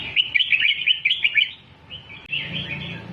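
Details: Red-whiskered bulbul song played to teach young birds to sing, in the doubled style: a rapid run of bright, chirpy whistled notes for about a second and a half, then softer warbling, over a low steady hum.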